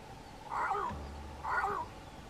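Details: Cape crow calling from the top of a tree, bowing and puffing up its throat with each call: two hoarse, croaking, nasal caws about a second apart, each lasting under half a second, over a quiet background.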